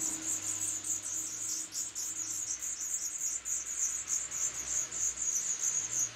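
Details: Third-brood black redstart chicks being fed by both parents in an old swallow nest, July 2012, giving a steady stream of thin, high, rapidly pulsed chirps with a faint low hum beneath.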